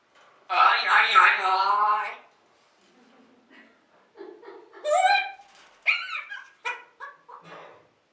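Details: Grey parrot talking: a loud, drawn-out utterance rich in stacked harmonics, a short quiet gap, then a run of brief, word-like chattering syllables jumping in pitch, with no other sounds around.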